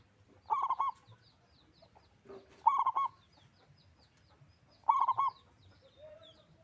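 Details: Loud local zebra dove repeating a short rolling coo of three or four mellow notes about every two seconds, three phrases in all, with brief softer coos and high bird chirps in between.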